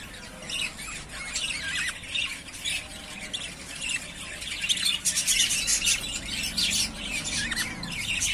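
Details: Yellowface spangle budgerigars, three breeding-ready pairs, keep up a continuous busy chatter of squawks, buzzy notes and chirps that grows louder and denser after five seconds.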